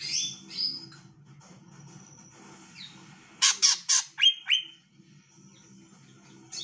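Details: Female greater green leafbird calling to lure males into singing: scattered high whistled notes, then a burst of loud sharp squawky calls and a few falling slurred whistles, over low background hum.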